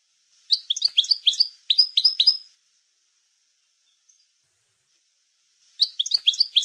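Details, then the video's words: Goldfinch song in maknin style for schooling juvenile goldfinches: two short runs of sharp, high, chirping notes in quick succession, then about three seconds of silence before another twittering phrase begins. "chant maknin pour écolage jeune chardonneret"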